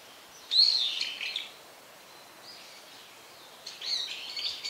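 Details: Loud, piercing call of a brown-eared bulbul that calls a lot: a high whistle bending downward into a harsh trailing note, a soft faint note midway, then another rasping phrase at the end.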